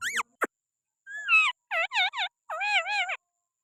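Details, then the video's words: Green parrot from Pakistan perched on a hand gives a short rising squeal, a click, then three groups of wavering, undulating harmonic calls with short gaps between. "Pakistani Green parrot 🦜🦜🦜 at my hand with beautiful voice"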